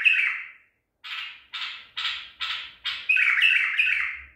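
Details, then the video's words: Baghdadi-style white-eared bulbul trapped at Medical City, 14 April 2021, giving a row of short chattery notes at roughly half-second intervals that build into a sustained, whistled warble. "تغريد بلبل طور بغدادي"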